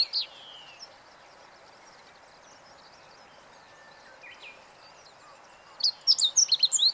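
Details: Singing meadow bunting, 20 March 2015. A short high note opens the recording, followed by a long stretch of faint background twitter, then a loud, rapid phrase of sharp chirps near the end.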